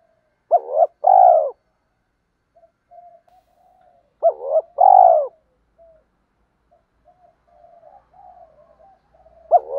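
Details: Spotted dove calls, from a recording of male and female birds used to rouse newly caught birds and train decoys: two loud phrases about four seconds apart, each a short rising note then a long mellow coo, with soft murmurs between.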